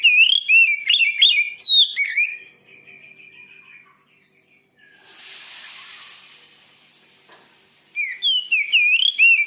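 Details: White-rumped shama song aimed at rousing another shama: loud rolling whistles and chips, a faint soft phrase, a brief hissing noise, then the bright warbled song returns.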